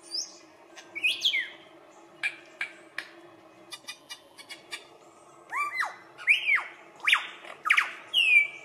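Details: Australian lyrebird's courtship-dance mimicry of other birds: sharp clicks and snaps early on, then a burst of loud varied whistles, downslurs and squeaky rising notes.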